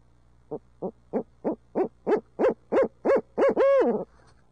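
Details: Urbanized barred owls in Midtown Tulsa: a run of about a dozen short hoots, starting soft and growing louder and higher-pitched, three per second, ending in a long drawn, wavering note.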